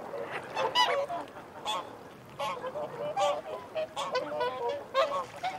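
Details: Whooper swans call as they feed and defend territory among wigeon and mute swans. Bursts of loud, hoarse honks are separated by short quieter gaps, each burst several calls deep.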